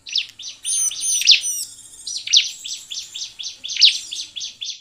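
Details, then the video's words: Bar-winged prinia singing energetically as a lure for other birds of its kind; opens with high arched whistles, then a dense, even series of sharp chirps with occasional louder accents. "Burung CIBLEK GACOR ampuh untuk PANCINGAN CIBLEK agar bunyi dan cepat GACOR"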